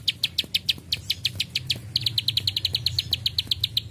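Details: Plain prinia giving bursts of "klik klik" clicks: steady high ticks, then a quicker, denser run in the second half, over low hum.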